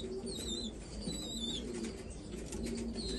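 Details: Several black Afghan pigeons in Afghanistan coo in low, throaty pulses, with brief high whistled notes from other birds early on and soft rustling.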